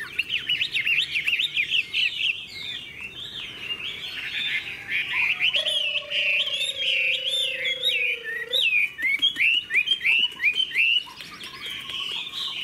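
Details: A captive tall-legged Chinese hwamei that flicks its tail while singing gives a loud, rich run of varied whistled phrases, fast and tumbling, with a long steady lower whistle held midway.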